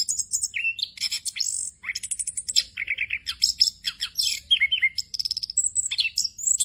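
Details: Orange-headed thrush (Geokichla citrina) sings a continuous rolling song: a rapid, varied run of high sweet whistles, trills and chattering phrases with little pause, sliding between very high and mid pitches.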